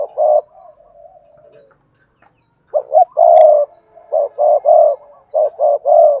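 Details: Spotted dove singing Cườm Sa style song: a faint drawn-out low coo at first, then a run of loud phrases of short clipped notes and long husky coos in close succession.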